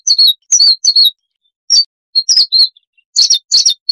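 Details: Siberian rubythroat song, a babbling, many-varied singer, in a cleaned-up recording: clusters of sharp, high, tinkling notes in quick bursts separated by short gaps.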